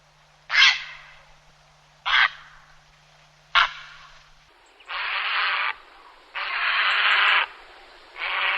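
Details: Grey heron giving three short, harsh, croaking squawks about 1.5 seconds apart, then three longer rasping calls, offered as a hunting call to attract birds.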